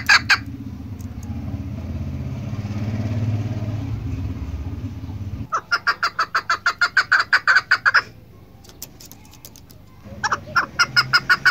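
Chukar partridge calling in quick, harsh, repeated clucking notes, several a second, in bursts; a vehicle rumbles through the first half.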